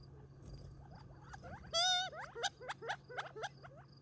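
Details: Gambel's quail eating treats near Tularosa Creek in July 2021 before retreating for the night; a loud, drawn-out nasal note is followed by a string of sharp upswept clucks, over a faint low hum.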